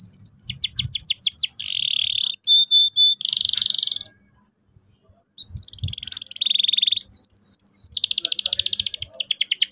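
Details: Energetic canary song used to train young birds to roll: quick slurred chirps, buzzy rattling bursts, a gap of silence, then more sweeping notes and a fast high trill.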